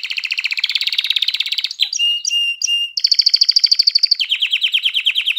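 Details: Canary song aimed at stimulating hens to mate and chicks to sing: a long rolling trill, a few separate whistled notes, then a bright high trill falling to a lower one.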